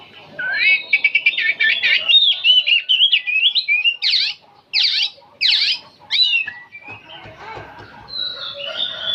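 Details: Nonstop song of an old oriental magpie-robin: a fast chattering trill, then four loud, evenly spaced harsh sweeping notes about every second, followed by softer mixed warbles and whistles.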